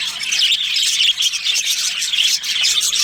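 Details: Chattering budgie colony with a breeding pair, a steady stream of high, squeaky chirps and warbles from several birds at once, lively and unbroken.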